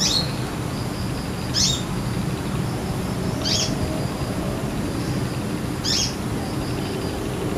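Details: A wild male brown-throated sunbird, feeding on nectar from guava flowers and chattering briefly, gives short, sharp, high chirps about every two seconds with a faint thin whistle between them, over a steady low rumble of background noise.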